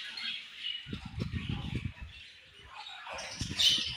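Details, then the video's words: Budgies twitter and warble in overlapping high chirps, while bursts of low rustling or tapping come and go underneath. "Very Beautiful Budgies Chirping Sounds"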